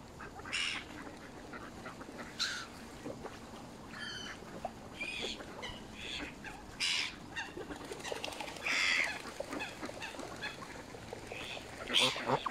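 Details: Canada goose filmed up close at Smith's Pool, Fenton, Stoke-on-Trent, UK, on November 21, 2021, giving short, harsh honks at irregular intervals, roughly every one to two seconds, over a steady background hiss.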